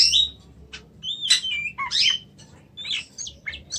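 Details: Oriental magpie-robin, called kacer in Indonesia, sings a fast jumble of chirps, slurred whistles and harsh notes, several phrases packed closely with brief pauses, against a quiet low background hum.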